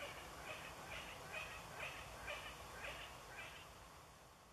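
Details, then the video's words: Young Long-eared Owls call from a small pine wood on a full-moon night, 13 June 2014. They give high, hoarse squeaks about twice a second in a steady run, over a low background rumble. "owls calling - Waldohreulen Rufe"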